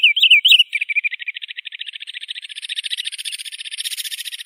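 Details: Wood sandpiper, a wader: brief whistled yodelling phrases near the start, then a long fast trill of clipped notes around several kilohertz, steadily repeated and slowly rising in loudness and pitch.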